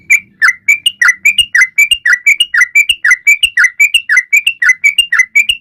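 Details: Sooty-headed bulbul singing loudly to prompt silent birds to sing: a long, even series of sharp whistled notes, each dropping in pitch, with faint low knocks beneath.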